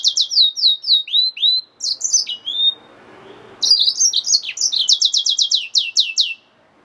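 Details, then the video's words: Yellow-fronted canary mule, a hybrid finch, likely caged, singing in rapid bright phrases: trills of descending slurred notes about four per second, a sharp buzzy segment, a short pause near three seconds, then a fast repeated series of clear downslurred whistles. "Yellowfronted canary mule | Hybrid Finch | Nature Bird sounds"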